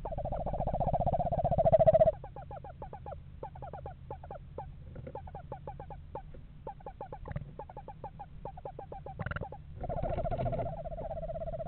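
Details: Eastern screech owl pair inspecting a backyard owl house in November; opens with a sustained monotone trill, then stuttering bursts of quick short notes, and a second steady trill near the end, low hum throughout.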